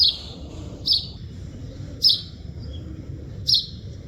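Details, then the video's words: A chidiya, bird chirping in nature, gives four brief, high, falling chirps at uneven gaps of one to one and a half seconds over a soft low hum. "Chidiya Voice Sound"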